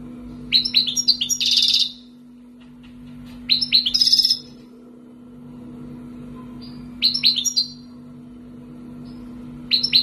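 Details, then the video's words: Two-year-kept wild European goldfinch in Algeria sings four short, well-spaced phrases of quick twittering notes, some ending in a buzzy trill, every few seconds, with a faint low hum throughout. "مقنين خلوي مربيه عامين برت .😘 تيباتباتي😘 سبات سباتي"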